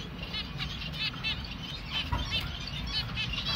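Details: Baby finch taking food by hand, giving rapid strings of high, wavering chirps in several short bursts, with faint low background noise.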